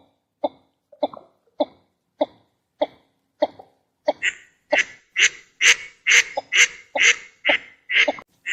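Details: A northern shoveler duck in wetland habitat gives a steady series of short, hollow, throaty notes, about two per second, starting soft and low, then growing louder and harsher.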